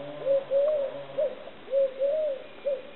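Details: Two quick phrases from a Eurasian collared dove, each a soft short coo, a longer rising-and-falling coo and a clipped last note, with faint low hum underneath.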